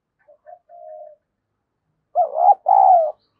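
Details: Decoy spotted dove used to provoke rival doves, giving its daily cooing and challenge calls: two faint short coos and a longer soft coo, then after a pause two loud, throaty, slightly wavering coo notes.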